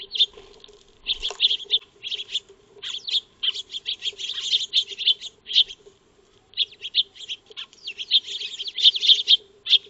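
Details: Feeding Eurasian tree sparrows (Maya birds) in a backyard, captured by a motion-triggered solar trail camera; dense runs of sharp, high chirps pour out in rapid volleys with brief pauses, over a faint constant low hum.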